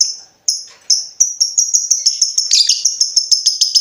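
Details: Lovebird recorded to train other birds, giving sharp, high chirps that start spaced out and then speed into a quick, repeated series with a brief rough flurry partway through.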